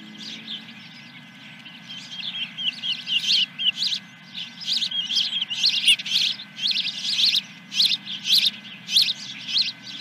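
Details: At an osprey nest on July 10, 2021, as a fish is delivered, rapid high chittering builds into quick repeated squeaky notes, roughly two per second, growing louder toward the end.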